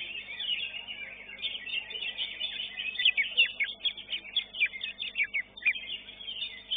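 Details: Greater green leafbird in a contest class at Srengseng, placed fifth, pours out a fast series of loud sharp whistled chips, several per second, over busy chattering song from other caged birds.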